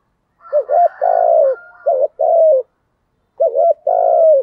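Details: Spotted dove in thổ voice, calling to bring in wild doves: repeated phrases of a wavering double coo followed by a long buzzy note that falls gently, given twice with a short pause.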